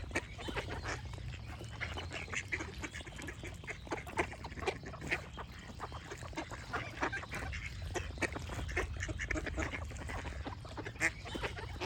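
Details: Many ducks call at once, a steady barrage of rough, nasal quacks packed closely together, while smaller birds chirp in the background.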